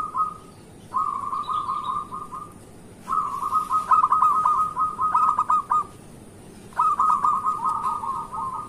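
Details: Energetic local zebra dove song meant as a morning lure for reluctant zebra doves: four bubbling, rapidly pulsed coo phrases, one long and stuttering, with faint high chirps from another bird.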